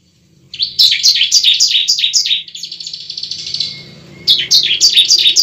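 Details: Bar-winged prinia song of the fighting type for prompting a bird to sing: a fast burst of sharp descending chirps, a buzzy rattle, then another chirp run, over faint low background hum.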